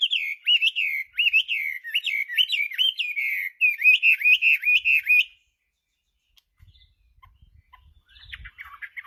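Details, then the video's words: Chinese hwamei singing: a loud series of rich, repeated whistled phrases with sharp upward flicks, about five seconds long, then quiet with faint rustling and distant twitters. "Kicauan Burung Hwamei//Wambi Gacor"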